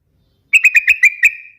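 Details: Sooty-headed bulbul (trucukan) delivers a tight, bubbly run of six evenly spaced notes over a steady whistled tone that fades out slowly.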